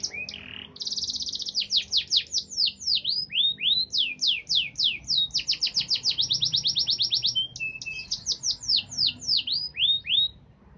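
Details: Freshly moulted canary delivering a luxurious, varied song. High sustained trills alternate with quick descending sweeps and a rapid buzzing roll, in bursts of changing tempo over about ten seconds. Little background noise.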